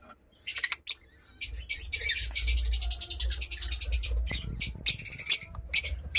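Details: Blue masked lovebirds chattering in a dense run of shrill, buzzy chirps with short gaps, low rumbling background noise underneath.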